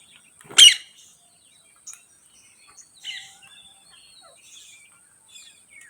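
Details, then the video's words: A single loud, grating screech from a green ringneck parrot (rose-ringed parakeet), followed by quieter scattered chirps and faint harsh notes in an otherwise calm setting. "Green Ringneck Parrots"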